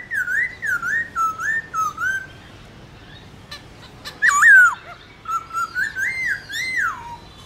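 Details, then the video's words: Morning wild-voice duelling song of a Black-throated laughingthrush: a series of wavering whistled notes about every half second, a pause, a loud swooping phrase, then more rolling whistles. "Khướu bạc má hót đấu giọng rừng buổi sáng"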